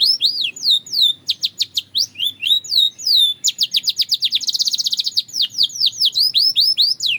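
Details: Belgian canary delivering continuous song: looping whistled phrases, then a fast rolling trill of downward chips that swells in loudness before returning to varied slurred notes.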